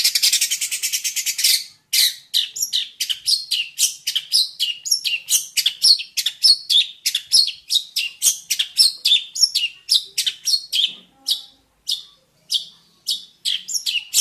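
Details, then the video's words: Jentet bird in full song: dense harsh scratchy trill at first, then a long fast series of loud chattering notes, nearly two per second, rich in high harsh tones, with no other clear sounds. "burung Jentet bersuara"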